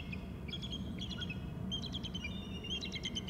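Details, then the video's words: Two eagles calling together near a tree trunk: high, thin whistled chittering notes in quick descending series, repeated in three bursts, over a steady low rumble of background noise. "Eagle from right to BST trunk area Both call"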